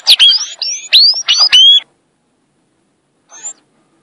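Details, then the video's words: Short phrase of the Sayaca tanager's violin-style song: several squeaky, rising, slurred notes over under two seconds, then silence and one faint note later. "SANHAÇO AZUL - Canto Violino"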